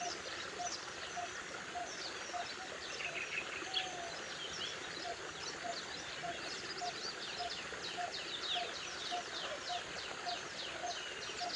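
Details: A Coppersmith barbet (Psilopogon haemacephalus), an Indian resident bird, gives its metronomic call, a low, hollow 'tuk' about twice a second at a steady pace, over a busy chorus of high chirps from other birds.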